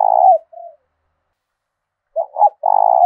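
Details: Caged decoy spotted dove in the 'thổ đồng' singing style, meant to challenge wild rivals: a loud quavering coo, a soft coo, a pause, then a loud stuttering coo phrase with a long trembling ending.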